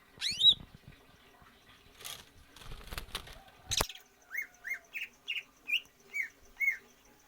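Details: Greater green leafbird, a kept bird in stamina training meant to lengthen its breath. It gives a loud opening upslurred note, then clattering and rustling. A row of seven short, rising chirped notes follows, spaced about every third of a second.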